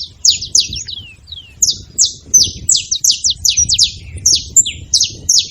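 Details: Saffron finches making noise at a feeding spot: quick, high, downslurred chirps in irregular bursts of two to four, with short gaps between them and a faint low background hum.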